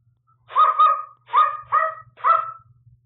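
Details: Pet African Grey parrot indoors practising a newly learned dog howl: four hoarse, drawn-out howling barks in quick succession, each level then falling slightly, with a faint low hum behind.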